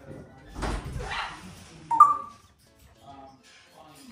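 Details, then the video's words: An 18-month-old male African grey parrot, kept indoors in Melbourne, Australia, just starting to talk a lot. Short speech-like syllables come first, then a sharp whistled note. Soft murmured sounds follow. "AFRICAN GREY TALKING PARROT"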